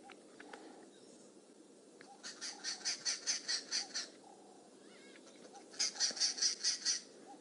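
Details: Arrow-marked babblers at Djuma Game Reserve, South Africa, 21 January 2017, alarm-calling and mobbing a large female boomslang in a tree. Harsh, rapid chattering bursts, about eight notes in each of two runs, loud and scratchy, over a soft insect hum.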